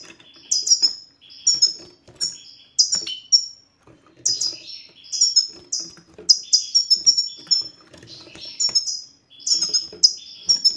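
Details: Goldfinch song played to draw song from a silent male goldfinch: an extended run of high, clipped descending chirps and liquid twitters, coming in dense clusters with brief gaps.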